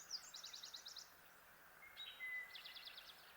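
Two loud, rapid bursts of chattering notes from a Kirtland's warbler, each about a second long, with a thin whistle between them over a soft background hiss.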